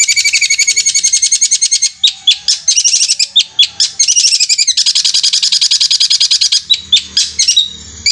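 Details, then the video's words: Long-tailed shrike delivering 'roll speed' song with a ghostly 'kuntilanak' voice, said to sound like a sewing machine: long, dense, mechanical high-pitched trills interrupted by sharp chips, then another extended rattle; low rumble near the end. "Cendet Roll Speed suara kuntilanak Armageddon seperti mesin jahit gacor"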